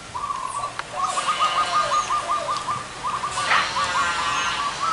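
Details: Zebra doves, big and small voices together at a trappers' location; a long fast series of clipped, evenly pulsed cooing notes in two runs, loud and clear, with a brief higher chirp from another bird.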